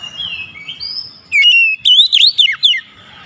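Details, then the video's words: Oriental magpie-robin singing as a lure for a quiet bird: a drawn-out whistle, then rapid loud notes swooping up and down in a lively, broken phrase. "PANCING KACER MALAS BUNYI"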